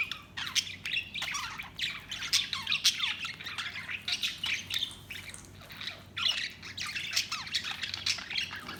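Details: Budgerigars chatter continuously in a busy flock, high buzzy chirps and squawks overlapping throughout, with a steady low background hum.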